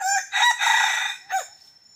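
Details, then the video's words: Decoy red junglefowl used in hunting crows loudly: a hoarse opening note, a long raspy middle section and a brief drooping final syllable, all within two seconds. "ต่อไก่ป่า dib qaib qus"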